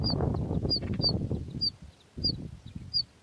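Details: Two bush lark chicks in their nest beg for food with crisp, piercing single peeps, several close together then spaced out, above low rustling that stops and starts.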